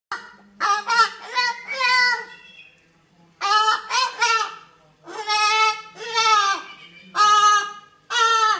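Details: A cockatoo talking: loud, hoarse, speech-like syllables rich in harmonics, delivered in four bursts of two to four syllables separated by short pauses, with no other sounds.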